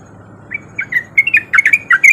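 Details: Sooty-headed bulbul song used as a lure to make silent bulbuls sing: starts with a few spaced chirps, then quickens into a dense burst of bright slurred whistled notes.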